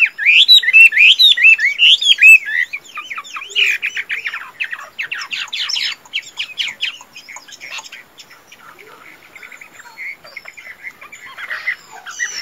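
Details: Caged Chinese hwamei, a tame fighting-type bird, singing: loud rapid phrases of looping whistled notes that give way to fast dense chattering trills, softer and more scattered toward the end.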